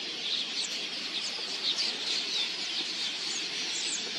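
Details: Millions of migratory red-billed queleas swarm in to drink at a watering hole: a dense, continuous roar of high chattering chirps, with the whir of many wings beneath.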